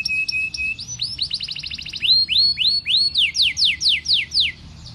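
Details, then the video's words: Canary singing nonstop gacor song, shifting from a thin buzzing whistle to a quick chattering roll, then a series of loud looping rising whistles repeated about three per second, close and clear. "Sekali putar Kenari lain ikut Gacor bunyi"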